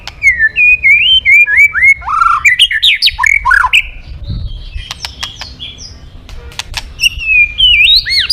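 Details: Varied white-rumped shama song meant to spur other birds into song: looping whistled phrases, swooping slurs and chirps, with sharp clicks and ticks in the middle and rising whistles at the end.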